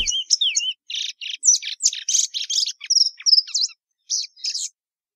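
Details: Song of the plumbeous seedeater (Sporophila plumbea): rapid bright chirps, looping whistled slurs and buzzy notes in quick succession, pausing briefly near the end before two final phrases, against a clean quiet background.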